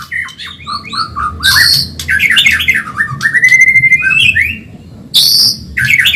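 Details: Medan white-rumped shama training song for caged birds: rapid jumbled whistles and harsh high bursts, then a long, steady rising whistle, with further loud scratchy bursts after a brief pause.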